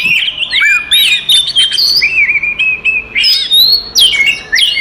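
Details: Magpie-robin fighting song from five Oriental magpie-robins, aimed at agitating other males: clear whistles alternating with falling slurs and sustained tones, in phrases separated by brief pauses.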